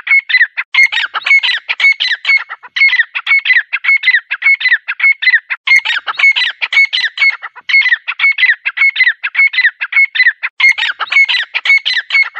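A grey francolin calls loudly. It gives ringing, high, repeated notes in fast bursts of phrases, and the bursts recur about every few seconds.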